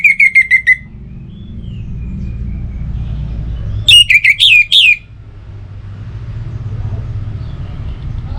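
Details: Orange-headed thrush song, played morning and evening to get other birds singing: two bursts of loud, clear whistled notes, the first descending in quick steps, the second a rapid warbled run, over a low traffic rumble.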